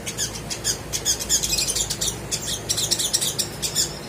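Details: Sunbird used as a lure to get quiet, reluctant birds to sing: dense bursts of very high, sharp chirping and twittering notes packed closely together, with faint background hiss.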